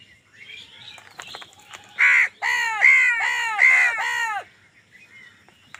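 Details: Crows squabbling over food, giving a run of five loud, harsh, hoarse caws in quick succession after some fainter calls, each caw a rough arched note.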